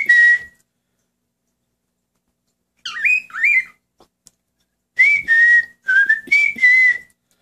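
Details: Indoors, a pet male cockatiel joins its owner's whistling: a short flat whistle, a pause, two wavering looping phrases, then a sequence of steady whistled notes at varying pitch.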